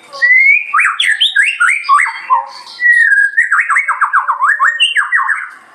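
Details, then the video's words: White-rumped shama singing rich, fluid whistled phrases that slide up and down in quick succession, followed by a run of rapid repeated warbled notes, with faint higher chirps from other birds. "kicauan burung, murai"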